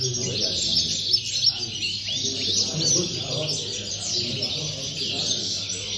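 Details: European goldfinch at a singing competition in Tarragona on 26 January 2020, a first-place entry: dense, rapid high twittering and tinkling phrases run almost continuously, with low voices murmuring in the background.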